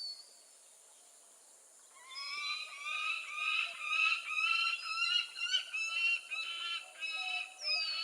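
A peregrine falcon gives harsh, nasal notes in a ragged run of about two per second, rising and falling slightly, after a near-silent opening.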